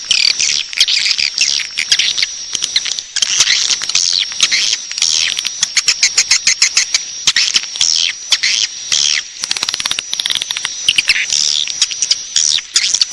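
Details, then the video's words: Lure recording of swiftlets meant to draw them in to stay: continuous shrill twittering packed with sharp ticking clicks, hardly pausing, over a constant high thin tone across the whole stretch. "Suara Walet Panggil Cepat Super Inap"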